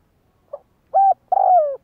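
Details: Spotted dove heard in decoy training, a faint short opening note followed by a firm level coo and a long drawn coo that falls away at its end.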